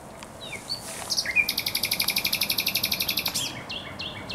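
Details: Thrush nightingale singing in spring at the Żerań Canal on 24 April 2022: a few sharp whistled notes, then a long fast rattle of loud clicking notes repeated about four times a second for two seconds.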